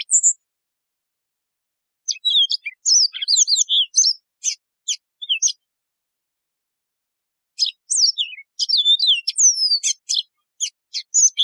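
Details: Wild yellow-fronted canary singing in a clean high-quality recording made for tutoring birds: scattered sharp chirps and short twittering phrases come in two long bouts separated by a quiet pause. Falling whistled slurs are mixed with clicks. Nothing else is heard.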